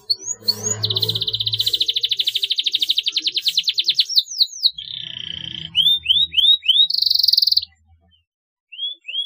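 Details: Canary song played to stimulate young canaries to chirp: a long, rapid, even trill of high pulses, then rising sweeps, a buzzy high roll and clear upslurred whistles separated by brief pauses.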